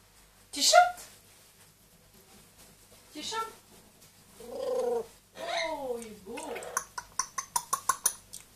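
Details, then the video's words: Pet grey parrot, two years old, and one-year-old Amazon parrot indoors: a few tonal, wavering mimicked calls with falling and rising pitch, then a quick run of sharp chirps at the end, a faint human voice beforehand. "quelques mot et bruitage des perroquets"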